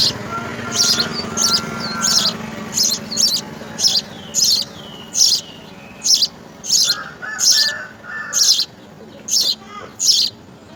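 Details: House sparrow nestlings at the nest, being fed insects by a parent, give harsh, high chirps, about a dozen bursts spaced under a second apart, over a low steady hum.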